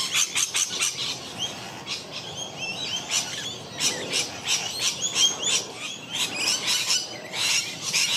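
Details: A wild rainbow lorikeet in Melbourne in a territorial dispute with the person filming, recorded unprocessed on a Lumix G9: a dense run of harsh, high screeches and rapid chattering chirps, tightly repeated throughout with short pauses.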